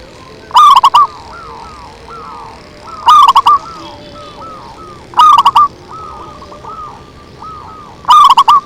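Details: Zebra dove lure call: soft, mid-pitched stuttering coos, with a loud burst of rapid coo notes about every two to three seconds. Faint background hiss.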